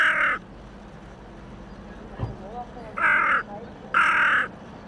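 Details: On the riverbank of the Elbe at Pirna, a seemingly solitary hooded crow among waterbirds calls three times, harsh hoarse caws with a long gap before the last two, perhaps seeking others of its kind.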